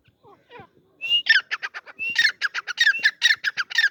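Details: Partridge (teetar) calling: a few soft low notes, then a loud rapid series of harsh, squawking pulses broken by short level whistles, quickening and repeating steadily to the end.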